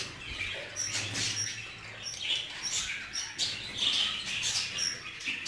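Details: Budgerigars housed together, a male jealously guarding a female: lively scratchy chatter with repeated short whistles and squawks, rising and falling in bursts every second or so.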